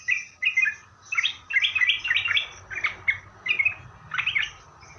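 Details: Lure song of a sooty-headed bulbul for making other bulbuls reply: groups of rich, warbled whistles in short bursts separated by brief gaps.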